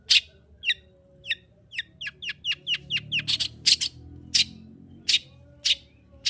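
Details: Lively long-tailed shrike song meant to provoke a silent shrike: a fast series of short, hooked, falling chirps, then several loud, harsh, broadband rasps, over a soft background rumble.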